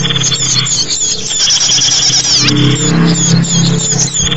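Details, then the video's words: Chattering small birds for luring other small birds: crowded high chirps and squeaky notes, the loudest repeating about three times a second, with a low steady hum beneath. "SUARA BURUNG UNTUK PIKAT BURUNG KECIL"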